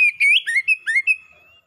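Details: Oriental magpie-robin song used as a lure to get a silent pet bird singing again: a quick run of bright, clear whistled notes sliding up and down, fading into a thin sustained whistle.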